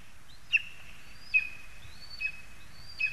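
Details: Lesser spotted eagle in a spruce, Zemgale, Latvia, August 2021: four thin yelping notes with rising whistled lead-ins, heard over a steady low rumble.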